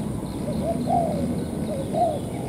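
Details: Spotted dove, apparently a wild bird drawn to a ground decoy on a sunny day, gives two soft, low coo phrases about a second apart, each swelling and dipping, over a faint low background hum; described as a courting/welcoming coo rather than an ordinary one.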